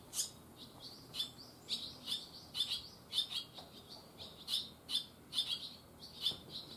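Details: Young barn swallows just fledged, calling in quick succession: bright, high chirps with a buzzy edge, spaced roughly half a second apart, with a quiet background.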